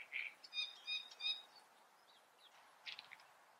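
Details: Great reed warbler (Acrocephalus arundinaceus) delivering a burst of harsh, rhythmic chattering notes in the first second and a half, then fading to faint scratchy fragments.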